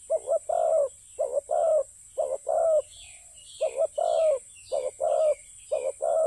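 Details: Spotted dove in a ground decoy-trapping scene, calling fast, low two-part coos roughly once a second, a short note and a longer rolling one, with high chirps from other birds and a faint steady hiss.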